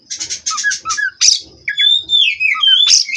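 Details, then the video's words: Farm-bred Oriental magpie-robin, therapy song for perch stability: a run of scratchy chattering notes, then a clear falling whistle and quick warbled phrases ending in a sharp burst. "Terapi Burung Kacer Agar Stabil di Pedok. Bikin L4w4n Mbagong"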